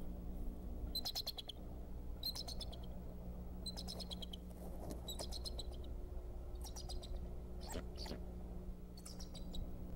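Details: Decorah bald eagle father alerting on 26 February 2014 as an intruder is pursued: rapid, high, staccato chittering in short bursts repeated roughly each second or two, with a constant deep hum behind.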